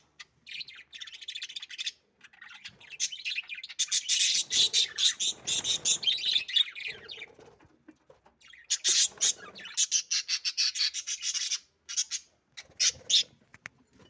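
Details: Budgerigar; mating chatter; courtship during mating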